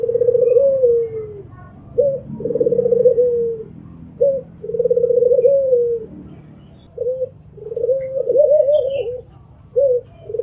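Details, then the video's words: An albino Barbary dove repeats its mbekur coo: brief sharp notes alternate with long vibrating coos that drop at the end, four rounds in steady succession, with a low background hum. "MAKIN MBEKUR !! PUTER ALBINO MBEKUR ll SUARA BURUNG PUTER MERDU"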